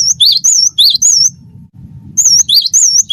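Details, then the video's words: Gelatik batu wingko song, from a cinereous tit: two quick bursts of repeated phrases, a high wavering whistle and a lower downslurred note, with a brief pause between them over low hum. "gelatik batu wingko gacor"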